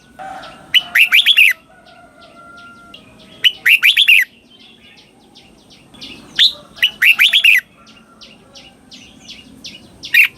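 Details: Song of a red-whiskered bulbul, southern Thai style, repeated for young birds to learn; loud fluty warbled phrases recur roughly every three seconds over a steady stream of soft short chirps from other birds.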